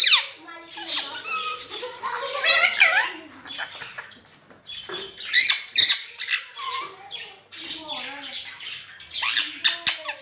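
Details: Talking rose-ringed parakeet repeating "Mian Mitthu Chori Khani Ha": continuous chatter of squeaky, speech-like syllables and raspy notes in irregular clusters, with louder peaks throughout.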